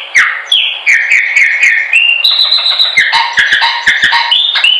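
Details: Continuous Chopi blackbird song for training birds: bright, fluid whistles shifting between higher and lower pitches, frequent sharp clicks, and a sustained high note midway, over a faint hiss.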